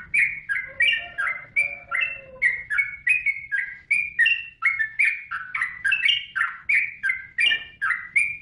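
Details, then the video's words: Yellow-vented bulbul in sustained song: rapid, gurgling notes tumbling in short irregular phrases, with a faint, lower, steady whistle beneath the first few seconds. "Suara Burung Trucukan | Gacor"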